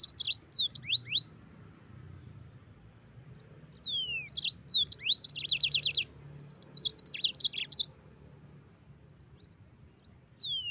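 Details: Yellow-fronted canary singing in lively bursts: high twittering phrases of sharp downslurred whistles and quick buzzy trills, broken by short pauses, with a faint low hum underneath. Known locally as a gacor, ngerol singer, used as a tutor recording.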